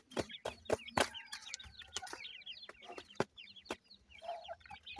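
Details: Young captive-raised teetar chicks being fed, giving a busy chorus of short, falling, high-pitched cheeps, some doubled, with loud knocking clicks scattered through and a brief scratchy rustle near the end.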